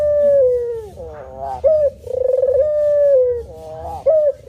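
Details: Male spotted dove cooing in the manggung style: a long falling coo, a rising burst, a short pulsed coo, then another sustained mellow note and a brief upward flick.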